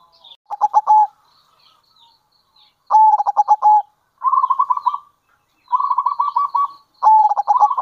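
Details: Lure call of a local zebra dove, loud stuttered 'kerot' bursts alternating with rapid rolling trills, repeated about every one to two seconds.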